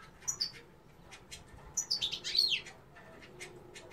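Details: Female European goldfinch giving quick high chirps, then a dense bright twittering phrase of liquid tumbling notes, followed by softer scattered clicks and tweets.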